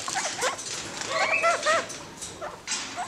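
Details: Captive pair of Kakariki playing acrobatically in a cage, giving short, nasal chattering notes in quick bursts, some with a whining, yelping tone, repeated over about three seconds against a faint hiss.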